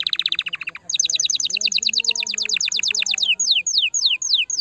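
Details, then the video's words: Canary song meant to stimulate the female: a short low trill, then a long fast series of bright high notes, finishing with widely spaced downward-sweeping whistles. "Chant de CANARI pour STIMULER la FEMELLE"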